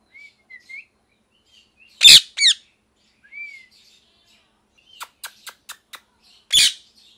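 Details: Pet ringneck parrot, molting, giving angry calls: loud harsh broadband screeches in bursts, a rapid series of short clicking chirps near five seconds, and soft thin whistles between, in a quiet setting.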